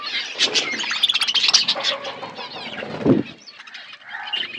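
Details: Parakeets eating in an outdoor aviary give a continuous chorus of twittering chirps and clicks, with a sudden fluttering of wings midway and quieter chatter after.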